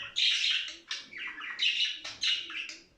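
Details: Loud, grating budgerigar chatter in four or five buzzy, squawking phrases, each about half a second long and separated by short gaps, played to spur budgies toward play and mating.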